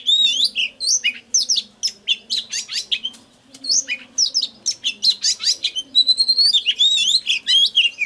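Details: Oriental magpie-robin singing in a recording used to trigger song and lure birds: loud, rapid, varied whistles, trills and chips packed closely together, a brief lull, then a drawn-out high note and more quick phrases, with a faint hum below.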